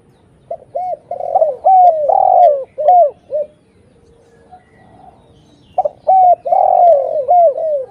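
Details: Spotted dove calling actively, a lure recording meant to draw in other spotted doves: two bursts of low, hollow, bending coos, each run stepping through several rounded notes with a longer swelling middle note, separated by a pause.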